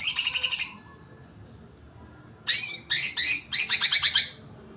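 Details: Agitated greater green leafbird singing in bursts: fast, buzzy, rattling phrases of rapid repeated notes, a burst at the start, then several dense chattering bursts after a short pause.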